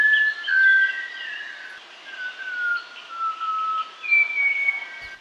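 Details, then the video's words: Malabar whistling thrush singing clear, human-like whistles: long slurred notes gliding slowly downward, then a higher sustained whistle near the end, over faint background bird chatter. "ഈ ചൂള കാക്കയുടെ പാട്ടൊന്ന് കേട്ടു നോക്കിയാലോ ഇനി"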